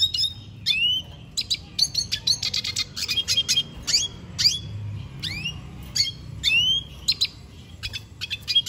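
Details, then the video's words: Repeated swooping upslurred whistles from a Venezuelan goldfinch, each followed by quick chirps and short trills, phrases coming about every second over a steady low hum. "Pintassilgo da venezuela cantando muito"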